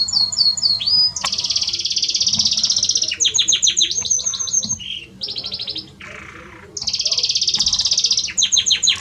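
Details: Male Belgian canary sings to a female with long, loud buzzy trills, bursts of rapid chirps and a lower rasping roll, nearly unbroken.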